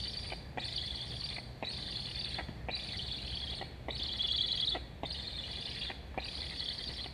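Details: Wild Black stork chicks at their Estonian nest on 26.08.21, one asking to eat as its sibling flutters along the nest. A wheezy, broadband chirp lasting about a second recurs at a steady pace, with soft knocks between calls.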